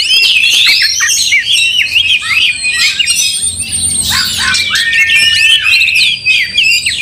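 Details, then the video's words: Angry white-rumped shama fighting with tail spread, singing a busy mix of sharp whistles, slurred sweeps and harsh squawks, in fast irregular bursts with a long flat whistle near the end. "Kacer tarung bongkar emosi buka ekor dongkrak amarah bikin kacer lain tambah Garang KEPANASAN"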